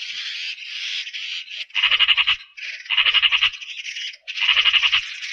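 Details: Eurasian magpie producing a continuous, loud, harsh rattle in repeated bursts, each a fast string of grating chak notes with brief pauses between, recorded cleanly with no other sounds.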